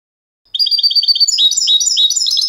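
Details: European goldfinch singing the clean contest song, canto limpio, used to train novice goldfinches: after a short silence a run of rapid twittering notes begins and builds into a denser, more varied trill.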